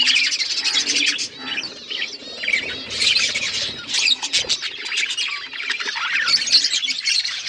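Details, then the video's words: Several pet budgerigars chirp and chatter nonstop, with rapid high warbles, squeaky trills and brief harsh notes overlapping in a lively flock babble that rises and falls in loudness. "Budgies chirping sounds and budgies talking"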